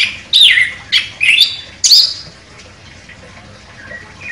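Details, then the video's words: A champion chestnut-capped thrush gives four loud, sharp, slurred whistled phrases in the first two seconds, then a faint trailing twitter. "ANIS KEMBANG JUARA NEMBAK TAJAM"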